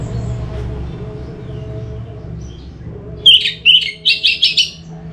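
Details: Orange-headed thrush lure song. After quiet low humming, a short sequence of whistled notes leads into rapid, repeated harsh chirps lasting about two seconds.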